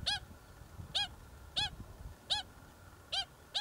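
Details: Pied stilt, an at-risk native species, at a colony nesting in a Waikato expressway earthworks site near Hamilton where chicks were raised; sharp yapping harmonic notes repeated roughly every 0.7 seconds, steady series over faint low construction rumble.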